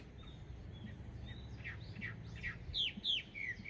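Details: Chinese hwamei, an introduced species in Japan, singing in birch trees on a sunny day: soft thin whistles building into loud, slurred notes that drop in pitch, several per second, over low background rumble.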